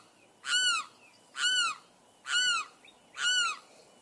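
A limpkin gives four loud, harsh, wailing screams, each slightly arched and rich in overtones, repeated about once a second over a faint background hiss.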